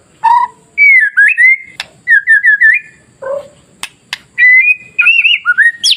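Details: White-rumped shama singing masteran, meant to stir other shamas into emotional singing: clear whistled notes, a run of quick looping trills, a low short note, then rising warbled phrases, with sharp clicks between them.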